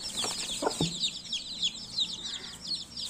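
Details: Brief burst of baby chicks chirping, many bright high peeps tumbling over one another nonstop, with a couple of low soft taps near the start.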